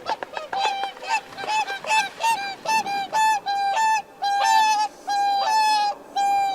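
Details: Swan calling in a rapid run of brassy, nasal honks, short and stuttering at first, then settling into longer, steady trumpet notes repeated about once a second.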